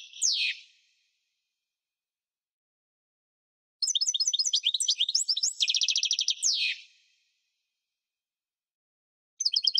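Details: Goldfinch, parva form, in song: a single downward-swept note, a long pause, then a fast jangling twitter leading into a dense buzzy trill and a slurred falling note, with another burst starting at the end.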